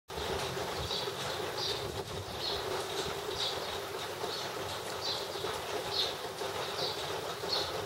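A wagtail gives short, high chirps about once a second, steady and evenly spaced, over the constant hiss of falling rain.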